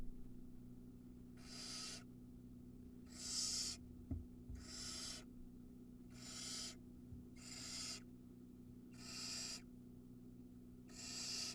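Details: Nestling barn owl filmed by a nest camera at Ram-on, Israel, during a feeding when it swallows an entire mouse; seven harsh wheezing screeches, each roughly half a second, coming about every one and a half seconds, with a faint click and steady hum.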